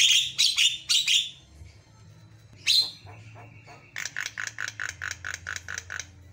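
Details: Very vocal jalak kebo mata putih, a white-eyed Javan myna: harsh grating bursts, a sharp squawk and a held tone, then a steady run of about ten evenly spaced ringing, buzzy notes.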